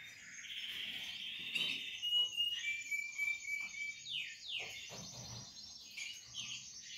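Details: Portuguese Harlequin canary chicks bred in captivity, giving continuous high thin calls with rapid descending chirps and short downslurred notes, fairly dense throughout.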